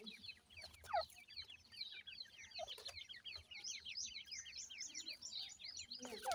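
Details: Chicks of grey francolin, or dakhni teetar, with an adult pair: a dense, nearly continuous chorus of high downslurred cheeps repeated many times a second, a few lower notes at start and end.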